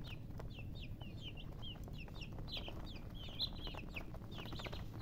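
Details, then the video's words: Chicks chirping in lively overlapping bursts of short, high, falling calls, some louder and sharper near the middle, with a low hum throughout. "Baby "Chicks Chirping" Sound"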